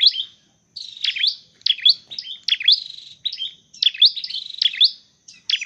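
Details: Dark-necked tailorbird in training for trapping gives rapid, bright, high-pitched chirping phrases, almost continuous, against a silent background.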